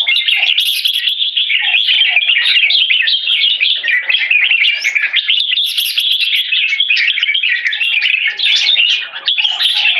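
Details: Farm-kept red-whiskered bulbul giving 'one stroke' singing that leads to 'keke', a steady, fast run of bright chirping and warbled notes with no pauses, busy and scratchy throughout.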